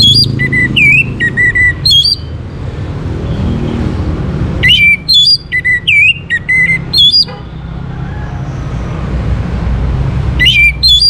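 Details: Orange-headed thrush singing as a prompt for other birds: rich whistled phrases of rising and falling slurred notes given in bursts, with quiet gaps of several seconds between them and a low rumbling background.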